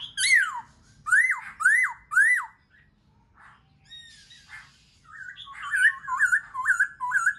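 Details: Black-throated laughingthrush (Garrulax chinensis) song: loud, arched whistles about twice a second, then after a short pause a quicker run of rolling, warbled phrases.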